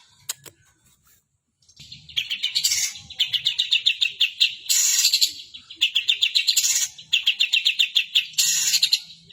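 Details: Long-tailed shrike in full song, imitating sooty-headed bulbul calls: after a few faint clicks, bursts of rapid, sharp, repeated chirps at a high pitch, broken by short pauses and louder harsher phrases.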